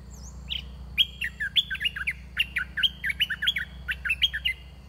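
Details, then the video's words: Red-whiskered bulbul kept as a caged decoy to lure wild birds, with a large wild bird arriving fast; bright warbled phrases of short slurred notes, each rising then falling, repeated about every half second over a steady low hum. "ต่อนกกรงดอกแตง (ไอ้ทอง) ตัวที่ 10 นกป่าลูกเสอมาไวมาก ตัวใหญ่ บัวใหญ่ เพลงดี"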